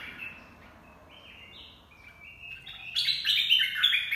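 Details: Red-whiskered bulbul dok taeng song for teaching young birds and luring: soft, drawn-out whistled notes at first, then a louder, richer burst of warbled whistles in the final second and a half over background hiss.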